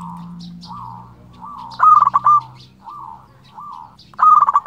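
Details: Local zebra dove song meant to provoke rivals and lure doves. Soft rolling coos repeat over a steady low hum, broken by two loud, rapid, bubbling phrases.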